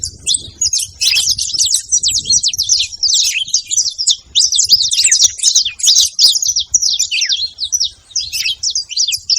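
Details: A noisy gathering of saffron finches, producing a busy, continuous chatter of shrill chips and fast trills that swells and eases slightly, with brief quiet moments near the end.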